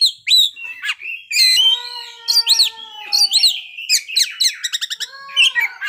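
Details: Oriental magpie-robin (kacer) at full play through its fill-in song: sharp whistles and arching notes, long steady lower tones, then a fast run of rapid clicking chips near the end.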